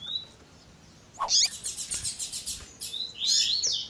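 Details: Double-collared seedeater, tui tui zel zel song with female chirps: a faint thin whistle, then a rapid buzzy series of about a dozen pulsed notes, closing with a cluster of bright slurred whistles.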